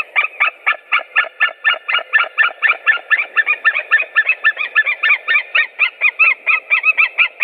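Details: White-tailed eagles, three birds present, recorded 7 April 2017: a long, steady series of loud, harsh yelping notes, about four per second, each note rich and nasal, continuing without pause over a faint low background hum.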